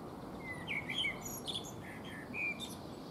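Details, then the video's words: Singing Eurasian blackbird perched in a fruit tree between preening bouts, giving clear fluted whistles mixed with squeaky high twitters in quick succession against a constant hiss of background noise. "Blackbird Singing And Preening on a Fruit Tree / Singende Amsel"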